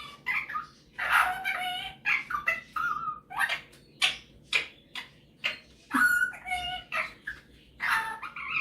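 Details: Male pet Superb parrot, described as a skilled talker and singer, showing off singing and mimicry: a run of short, bright harmonic bursts and chirps with a few clear whistled notes, separated by brief pauses.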